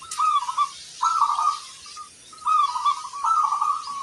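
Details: Local zebra dove in vigorous song, big 'kung' voice: four rolling, tremulous coo phrases of about half a second to one second each, separated by brief pauses, in a quiet setting.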